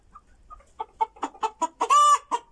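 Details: Rooster clucking like a hen, as if it had just laid an egg, while asking to join the others: rapid series of short clucks about five per second, building louder, ending in one drawn-out steady squawk and a final cluck.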